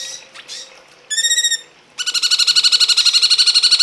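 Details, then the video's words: Cungkok producing soft chatter, a short ringing harmonic whistle, then a fast, loud, rattling trill of evenly pulsed high notes about six per second that runs to the end. "masteran burung cungkok"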